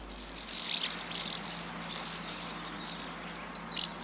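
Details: Migrating common house martins pausing for an hour on a 20,000-volt line in Limousin, central France, 24 September 2015; dry, high chirrups come in quick clustered bursts, loudest near the start, with a sharp final call and a faint low hum beneath.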